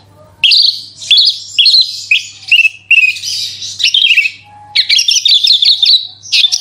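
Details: Lure song of a Horsfield's bush lark in 'super roll tembak' style to make other larks sing: dense, continuous run of high twittering trills and slurred whistles with brief pauses, a faint low hum behind.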